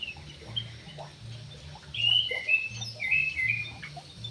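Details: Javan pied starling (jalak uret or suren), described as a dancing bird, gives a few squeaky, slurred whistles and chatters in the second half, over a constant low mechanical hum and soft tapping.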